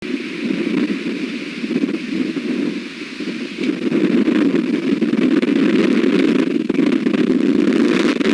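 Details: Heavy wind roars and buffets the microphone on a very windy day, growing louder halfway through.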